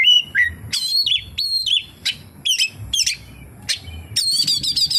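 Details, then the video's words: Oriental magpie-robin song rich in kapas tembak phrases: crisp whistled notes, held and bending tones, and sharp double chips, ending in a fast warbling trill. "SUARA BURUNG KACER, FULL ISIAN KAPASTEMBAK"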